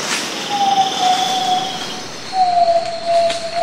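A Zabele tinamou gives two long, pure, mellow whistles, each about one and a half seconds and falling slightly, with a short pause between.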